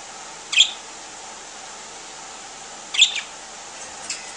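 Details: Three pet parakeets, yellow, green and white, slowly waking up in the morning: sharp, high, brief chirps ring out three times, spaced a few seconds apart, over a quiet room hiss.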